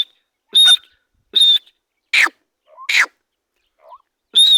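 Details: Grey francolin calling with sharp high whistled notes mixed with harsher, rasping downward notes, irregularly spaced, plus a few soft faint chirps in the gaps.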